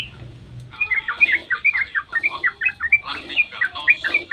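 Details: Sooty-headed bulbul in long dawn 'ropel' song, used as a lure to make other bulbuls answer and sing; after a quiet start, a fast unbroken run of short bubbly, warbled chirps pours out for about three and a half seconds.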